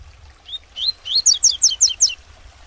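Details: Double-collared seedeater in tuitui style, bred in a domestic setting, tutoring juveniles: a short rising note, then six clear, evenly spaced, descending whistles, over low background noise.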